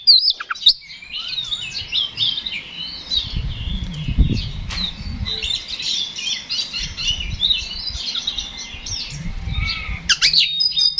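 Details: Oriental magpie-robin singing hard in fighting mode as a provocation lure: a dense, fast jumble of chattering, twittering and scratchy notes runs without pause, over low rumbling background noise, with sharp clicks near the start and end.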